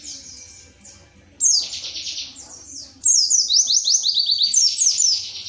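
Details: Pleci (white-eye) from Indonesia opening quietly, then bursting into loud 'tembakan materi' phrases: quick series of high, sharply falling whistled notes, repeated in rapid runs after two sudden starts.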